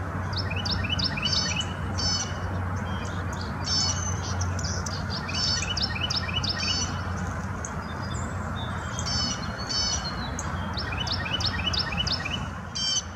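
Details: A Carolina wren calling while foraging at Bluebird Gap Farm, Hampton, Virginia, in late February, gives bright, sharp notes in quick bursts of several, repeating every second or so over a steady low background rumble.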